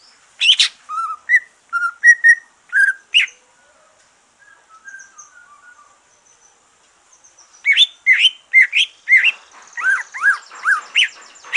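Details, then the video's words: Green leafbird singing after moulting, a song used to prompt other birds: clipped whistles and chirps, a quiet pause with faint low notes, then a fast burst of descending slurred chirps. "Kicau santai cucak ijo,,rangsangan cucak ijo selesai nyulam"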